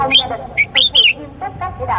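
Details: Male Cambodian red-whiskered bulbul calling to a female, used as a lure for wild birds; a series of short, bright whistled chirps, some rising and some falling, come in quick succession over a faint low hum.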